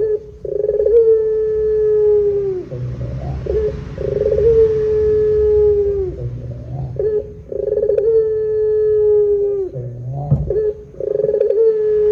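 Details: Barbary dove calls used as a lure to draw out other doves: repeated long level low coos, each begun with a rolled burr, spaced about every three seconds over a faint low background rumble.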